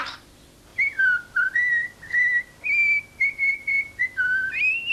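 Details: A young pet common starling in Corsica whistles La Marseillaise in clear, pure notes, a series of steady tones stepping up and down around the melody, each held about a quarter second.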